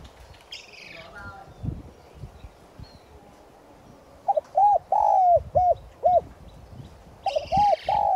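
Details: Decoy spotted dove giving its 'giọng son' call to attract wild doves; a brief rustle, a quiet gap, then a cooing phrase of wavering, long and short low coos, and a second phrase starting.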